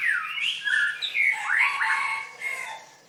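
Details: {'caption': 'White-rumped shama, bird singing contest of 7/25/16: softer run of smooth whistled glides dipping and rising, some notes overlapping, over a faint background hiss.'}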